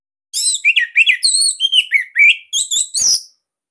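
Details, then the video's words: Captive Bali orange-headed thrush with its loud, unique, somewhat tight song for coaxing other birds: a continuous run of varied slurred whistles, some rising and some falling, ending in high, harsh notes. "Kicauan ANIS MERAH Ini Cocok Buat Masteran"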